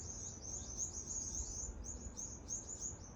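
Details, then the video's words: Several birds in Adelaide, Australia, give loud chirps as a rat chases them; quick high-pitched notes tumble over one another in an unbroken chatter above low rumbling noise. "Birds loud chirping sound coz of a rat chasing them"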